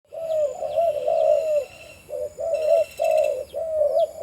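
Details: Breeding male spotted dove with a deep voice, kept at a farm, giving low, mellow coos in phrases of two or three notes with short pauses. High, thin descending chirps from other birds repeat in the background.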